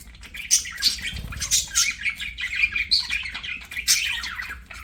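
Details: Budgerigars at play give rapid, overlapping chirps and buzzy warbles, sharp tweets bursting out every half second or so over a steady chattering background.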